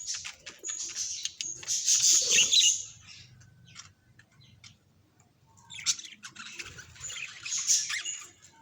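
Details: Pet budgerigar calls, said to reveal the bird's emotions: two bursts of dense, high, scratchy warbling chatter separated by a quiet pause of about three seconds, with faint low background rumble.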